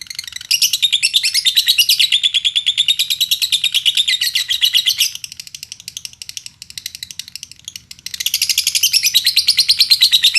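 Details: Lovebird in Indonesia giving a lure song meant to provoke other lovebirds to sing: dense, rapid, buzzy chattering trills, a loud burst, a softer ticking stretch in the middle, then loud chatter again.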